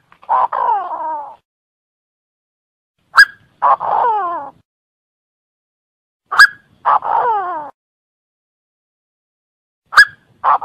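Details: Francolin from Cambodia repeating its call about every three seconds. Each phrase is a sharp click, then a rough note, then a longer harsh note that slides downward with strong overtones. No other sounds.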